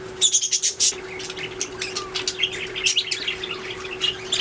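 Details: Budgerigars chirping and singing, loud squeaky notes at first, then a softer ongoing chatter of short high chirps and warbles over a steady low hum.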